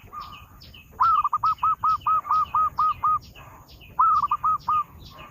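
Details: Zebra dove song used to lure birds: a low, hollow coo phrase of about eight evenly spaced, rising-falling notes, a pause, then four more, while thin high chirps from other small birds run through the background.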